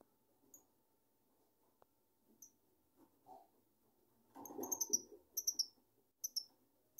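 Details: Quiet at first, then a cherished pet lovebird bursts into a run of piercing high chirps in quick pairs and triplets, over a low indoor rustle and a faint constant hum.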